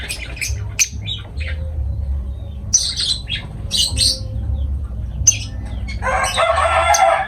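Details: Lovebird squawks come as sharp, high, grating bursts in short clusters. A low rumble runs beneath them, and a broad hissing noise takes over near the end.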